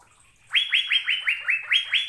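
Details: Asian fairy-bluebird giving melodious, lively song: eight ringing whistled notes, each a sharp upward slur levelling into a brief steady tone, delivered at an even, quick pace.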